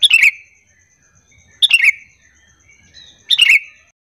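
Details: Three lively, bubbly sooty-headed bulbul phrases, each a quick descending chatter, repeated about every one and a half seconds, used to bait other bulbuls into answering; a faint steady ticking sits underneath.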